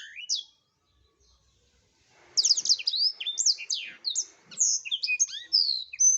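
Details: Gacor blackthroat, recorded as tutoring material for songbirds, gives one short high note, falls silent, then bursts into a rich, fast jumble of high twittering notes, slurred whistles and short buzzes.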